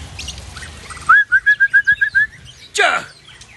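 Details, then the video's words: White-rumped shama from Tangse, Aceh, showing its learned song repertoire: eight clear whistled notes repeated evenly at the same pitch, then a harsh sweeping burst. Low background rumble throughout. "Murai Aceh Asal Tangse Bongkar Isian"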